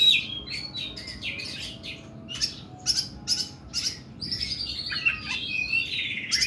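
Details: Harsh, long-phrased 'nembak' singing from an oriental magpie-robin (kacer): mixed whistled notes and rough buzzy bursts, some sharp clicks, with a tumbling run of varied whistles near the end; steady faint background hum.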